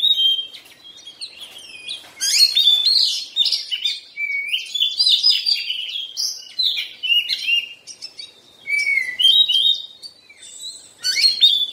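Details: A molting Oriental magpie-robin sings almost nonstop, mixing crisp high chirps, slurred whistles and chattering trills in fast, varied sequences.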